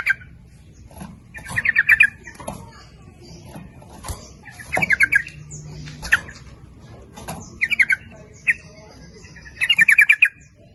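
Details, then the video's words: Sooty-headed bulbul singing as a lure meant to draw in both males and females, in the lively nguplik ropel style: short bubbly, chattering bursts of rapid notes at about 1.5, 5, 7.7 and 10 seconds, with faint low background rumble between. "Suara Pancingan Trucuk gacor memanggil jantan maupun betina ikut bunyi nguplik ropel"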